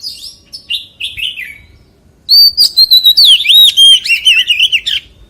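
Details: Oriental magpie-robin singing in the 'forest voice' style: soft descending whistled notes, then a loud burst of rapid varied whistles and trills that rise and fall, with sharp clicks mixed in.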